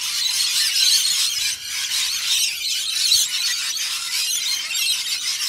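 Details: Many Australian Rainbow Lorikeets frantically feeding on warm nectar mix with a dash of honey: a continuous shrill chorus of piercing squeals and harsh chatter, steady in loudness throughout with a brief dip early on.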